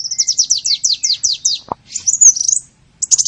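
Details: High small-bird lure calls: a rapid train of downslurred chirps, a brief low click, then a squeaky twisting whistle and a short final chirp.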